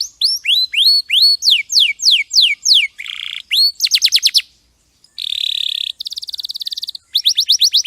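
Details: Canary tutor song from a champion bird: looping high downswept notes, a short buzzy tour, a ringing fast trill, a brief pause, then a harsh rattling buzz and another crisp rapid trill.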